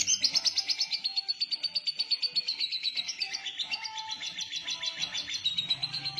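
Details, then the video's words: Lovebird in konslet style, trilling a long ngekek: a fast, shrill, buzzy rattle that slides slightly lower and runs without a break, over faint low background tones. "love bird konslet ngekek panjang!!!!!"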